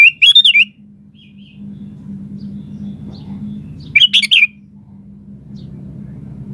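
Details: Gacor, lively singing sooty-headed bulbul giving two loud, bubbly, warbled whistle phrases about four seconds apart, each under a second long, with quiet gaps and a faint steady low hum between.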